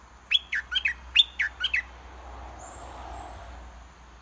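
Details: A decoy red-whiskered bulbul sings in its cage, calling repeatedly until a wild bulbul descends to fight. It gives a quick burst of six clear, whistled, down-slurred notes, then quiet background hiss with a faint high tone.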